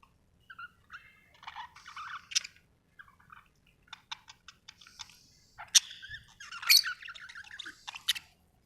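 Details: Budgerigar chirping happily, an Australian bird: scattered short warbled notes and clicks in bursts with quiet gaps, a sharper squeak near the end.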